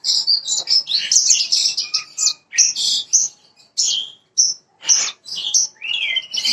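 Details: Song of a parva bushlark, played to make an untrained bird sing quickly: varied high chirps, twittering runs and a few clear whistled slurs, delivered in fast phrases with short breaks.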